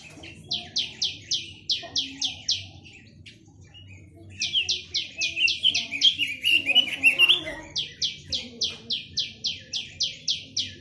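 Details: Chinese hwamei singing three long bouts of rapidly repeated rising whistles, about four each second, with a rich warbled phrase in the middle bout and a short pause between the first two.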